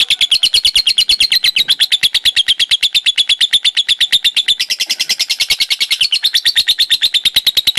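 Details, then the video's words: Lovebird delivering a long ngekek konslet trill, a fast machine-gun series of bright, high chirps running without pause, pitch rising a little in the second half and dipping again near the end. "Burung lovebird ngekek konslet"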